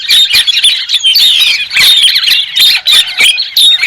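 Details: White-crested laughingthrush: a dense, loud chatter of squeaky, cackling notes that overlap constantly, with sharp clicking bursts scattered through the whole stretch.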